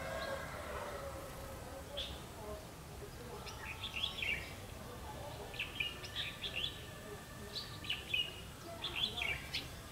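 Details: Decoy red-whiskered bulbul ('mí lửa' type) used for trapping, 31 October 2016; a string of quick chirpy warbled phrases repeated every second or so through the second half, over a hissy outdoor background with low hum.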